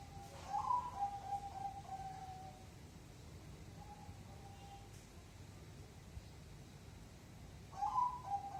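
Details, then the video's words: Zebra dove cooing in beats of 5, 6 or 7; a rolled coo phrase with several even notes, a softer pair of coos midway, then a new phrase starting near the end, amid constant low background noise. "perkutut gacor suara 5,6,7 ketukan"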